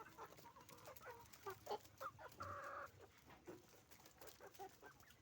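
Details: Roosters and hens on a chicken farm; scattered clucks lead to a held, harsh squawk about half a second long in the middle, followed by more quick clucking from the flock over a low hum.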